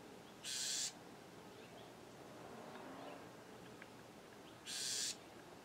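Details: Bewick's wren, a parent at its nest in a clothespin bag in California, giving two harsh, raspy buzzes about four seconds apart, each lasting half a second, over a quiet background.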